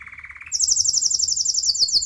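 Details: Canary from the United States singing: a rapid lower trill of repeated notes for half a second, then switching abruptly to a very high, fast, rolling trill of rapidly repeated notes; no other sounds.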